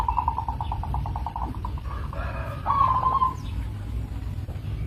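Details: Local zebra dove: a run of evenly spaced short pulsed notes, then a brighter rolling trilled coo midway, set against a steady low-frequency background rumble.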